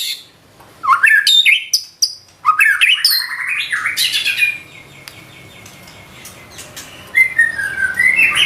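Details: White-rumped shama in full song with mimicked filler phrases: quick rising and falling whistled notes in bursts, a drawn-out buzzy trill, then more sharp whistles near the end.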